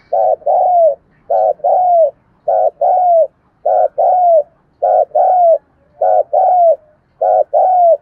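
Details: Spotted dove in 'thúc gù' cooing, a steady run of seven two-part phrases roughly every 1.2 seconds, a clipped low note followed by a longer coo that sags downward, over a quiet background.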